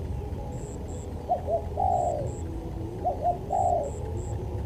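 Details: Spotted dove cooing in a tutor recording, fainter and set against steady hiss: two low phrases of short clipped notes ending in a longer wavering coo.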